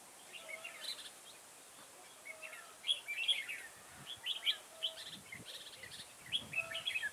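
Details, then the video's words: Red-whiskered bulbul acting as a decoy during trapping in a garden, 9 October 2017; bright, jumpy chirped phrases come in clusters, growing livelier toward the end, over faint background noise. "Bẫy chào mào Đầu gấu nhất vườn"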